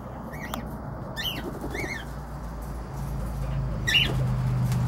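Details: Cockatiels giving a few short, bent chirps early on, then quieter, while a low droning hum grows louder.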